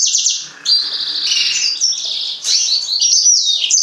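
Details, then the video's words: A yellow-fronted canary pours out an almost unbroken high, twittering warble with quick trills and slurred whistled notes. "mozambik kanaryası, green singer, serinus mozambicus"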